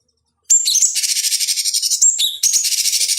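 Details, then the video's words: Cucak cungkok bulbul in a master recording for training fighting birds: after a half-second of silence comes a continuous fast buzzy trill with two short whistled phrases. "Masteran Pancingan Cucak Cungkok Ampuh Untuk Terapi Dan Masteran Burung Petarung"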